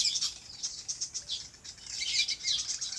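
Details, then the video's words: Birds chirping in their natural habitat on a farm: busy, overlapping high twitters and short squeaky notes forming a continuous chatter over faint background hiss. "Relaxing Bird Chirping Sounds"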